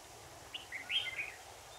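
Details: Red-whiskered bulbul recorded while testing a new camera: a short warbled phrase of a few quick, bright, slurred notes, rising and falling at mid-high pitch, over a low rumbling background hum.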